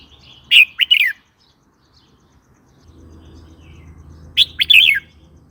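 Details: Red-whiskered bulbul song, played to provoke new or wild birds and to teach young birds: two short bursts of bright, warbled, slurred whistles about four seconds apart, with quiet low hum between.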